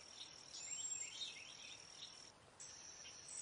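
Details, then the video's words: Cedar waxwings in a backyard flock, passing berries and insects among themselves; thin, very high hissing whistles over a steady, high insect drone, with a few softer chirps lower down. "Cedar waxwing call / song, passing berries / insects"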